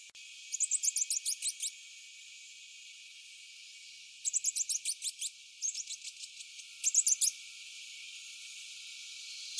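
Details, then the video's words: A rufous-breasted (hairy) hermit hummingbird (Glaucis hirsutus) calls and sings: a rapid twittering series of high, thin, squeaky notes in three bursts of about eight to ten notes each, over a quiet background. "Rufous breasted hermit hummingbird (Glaucis hirsutus) sound - Call and song"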